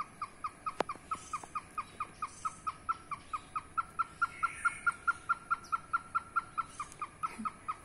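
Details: Hornbill, a rare protected bird in Indonesia, calling behind a house: a fast, even run of short, sharp notes, about two per second, held at one steady pitch for eight seconds, with a faint hiss of background noise.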